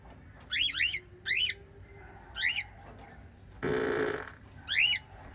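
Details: Five lovebirds, with four shrill, twisting chirps spaced about a second apart, broken by a brief, harsh, noisy rasp in the middle.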